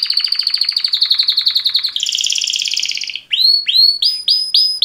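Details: Male canaries giving mating song: a steady pulsed trill for two seconds, a higher, denser trill sliding slightly down, then four loud ringing upward-swept whistles repeated about twice a second.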